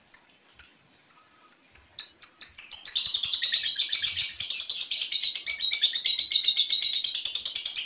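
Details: Young lovebird on a home terrace, learning its sound and performing the long chattering ngekek song. A few separate high chirps lead into a rapid, continuous, buzzy chatter that builds and runs on without pause.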